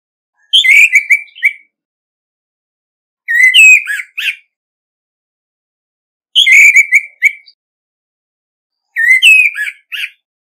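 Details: Competitive singing from an Orange-headed thrush used as a decoy bird, clean recording: four whistled phrases alternating between two patterns, a descending slurred whistle with short chirps and a rising note ending in a rough burst, roughly every three seconds.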